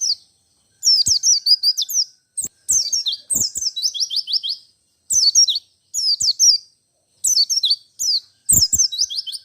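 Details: Persistent white-eye song, 'ngalas ngerol' style said to set off other white-eyes; nearly continuous phrases of high, quick, slurred chirps with brief breaks, and occasional low clicks.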